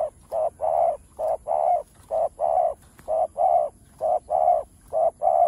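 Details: Low hollow coos from a spotted dove singing a full chiêu, thúc and gù sequence, with short and long notes alternating quickly in an unbroken run.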